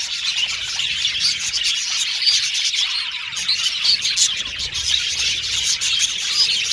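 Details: Australian budgies chirping together in continuous, dense, high-pitched chatter of overlapping tweets, warbles and chips with no pauses, a lively busy flock sound.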